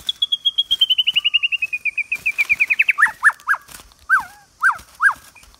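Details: White-rumped shama training recording: a rapid accelerating run of slurred descending notes, then six separate loud hooked whistles spaced about half a second apart.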